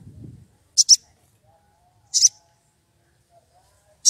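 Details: Wild woodpecker, worked up and seeking a rival, gives short high rasping double notes about every one and a half seconds, with a brief low rumble at the start.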